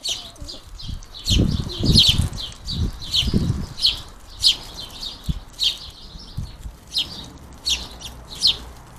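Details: House sparrow fledglings calling for food at a garden feeder, rapid bright chirps in uneven bursts mixed with fluttering wingbeats and low thumps.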